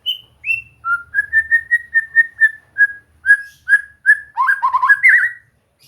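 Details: Shama song for relaxed singing practice: two high whistles, then a steady run of about a dozen evenly spaced mid-pitched piping notes, ending in a fast tumbling burst of rising and falling whistles.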